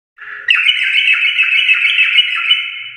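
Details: Sooty-headed bulbul (trucuk) in full "garuda" song style: a dense, steady stream of rapid chattering notes held around one pitch band, about three notes per second, loud and unbroken after a brief quiet opening.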